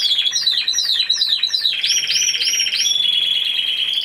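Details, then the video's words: Timbrado Español canary at a singing competition and show in Greece, 26 November 2015, individual class C2: fast repeated descending chirped notes giving way to looping rolled phrases and a steady high trill. "Καναρινιών Φωνής Timbrado Español"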